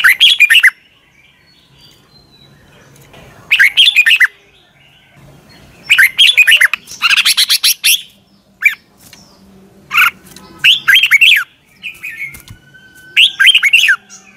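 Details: Red-whiskered bulbul in morning song for bird training, delivering repeated short bursts of loud, warbling whistles, some notes sweeping sharply up or down, with brief pauses and a faint low murmur beneath.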